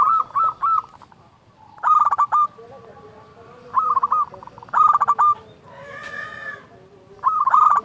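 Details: Loud local zebra dove used as a lure to stir quiet doves into singing: four short bursts of fast, rolling coo notes separated by pauses, with a brief rough noise between the last two.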